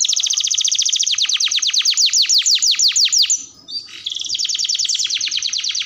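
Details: Canary giving long, lively tutor song meant to trigger other canaries: loud repeated downward-sweeping notes about four per second, a short pause, then a soft rapid buzzy trill.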